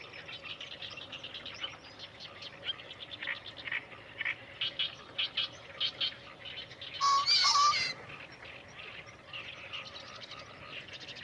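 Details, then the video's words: Male green pheasant (Phasianus versicolor), a distant male filmed by a rice paddy in Japan on 28 May 2017, gives one loud, harsh crowing burst near the end over a steady chorus of short rhythmic chirps and trills from other birds or frogs. "キジ (Phasianus versicolor) の鳴き声"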